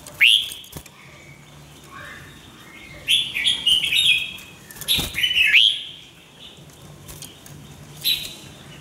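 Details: Red-whiskered bulbul in lively song training. Repeated bright slurred whistles and warbled phrases come over about nine seconds, with sharp knocks mixed in and a final short note near the end.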